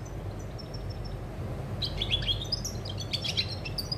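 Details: European goldfinch, recorded 20 August 2020: a few faint thin notes, then from about two seconds a burst of fast, bright twittering and jingling chirps over low hum.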